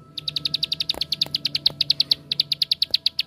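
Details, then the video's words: Bar-winged prinia giving its ngebren song as a lure to provoke other prinias: evenly spaced high chips in a quick run without pause, with a few soft knocks and a faint steady tone underneath. "Suara Tembakan Ampuh Untuk Pancingan Ciblek Sawah Anda"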